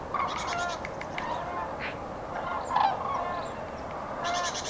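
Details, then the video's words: Common cranes heard on prenuptial migration in central France's Nouvelle-Aquitaine, 8 February 2017: bugling calls interleaved with brief rattling, noisier bursts, the chorus rising again near the end. "GRUE Cendrée/Migration Prénuptiale/2017 ! BRUITX"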